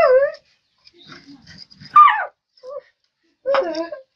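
A common myna imitating human speech: three short, voice-like harmonic phrases with rising and falling pitch, separated by quiet gaps with faint soft chatter.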